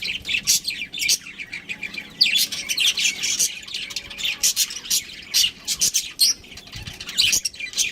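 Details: Pet budgerigars, a breeding pair, chatter in dense high squawky chirps and rasping warbles that come in quick successive bursts almost without pause.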